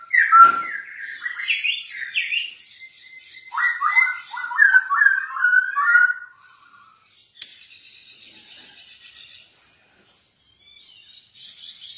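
Masked laughingthrush giving loud, varied, ringing whistled phrases for about six seconds, followed by quieter high, buzzy chattering.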